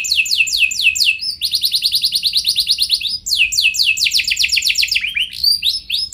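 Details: Canary in continuous rolling song used as a lure for other canaries: high bright trills switching between faster and slower pulsed runs, ending in a short swept flourish.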